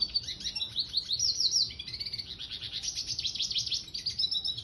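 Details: Continuous high-pitched twittering from a red siskin mule in 'gacor' mode: quick repeated chips and rattling trills run together, rising and falling slightly in pitch, with no pauses.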